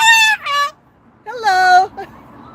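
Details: 31-year-old male Moluccan cockatoo on a patio on a cloudy evening, excited on seeing familiar people come to say hello: two loud, harsh, rich screeches, the first dropping in pitch and the second longer and lower, followed by soft talk.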